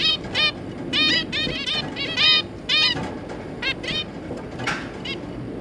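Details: Short nasal toy-trumpet calls from a zebra finch pair and their three juvenile offspring, given in irregular clusters and doubled notes, with a soft background hum throughout.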